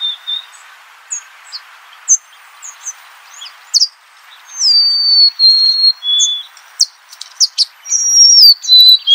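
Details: Golden-crowned sparrow repeating its falling whistled phrase twice, amid many short high chirps and ticks from other birds and a constant background hiss.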